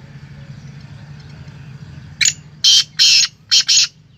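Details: Black francolin in Pakistan gives a loud, harsh, grating call phrase of five rasping notes after a quiet start.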